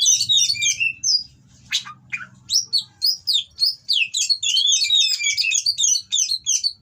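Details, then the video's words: Captive-bred Oriental magpie-robin in breeding condition with coarse, rival-provoking song: tumbling whistled phrases, a pause with sharp clicks, then a long rapid stream of bright, twisting notes over a soft hum. "Burung Kacer Kawin Bongkar Materi Kasar Bikin Lawan Langsung Emosi"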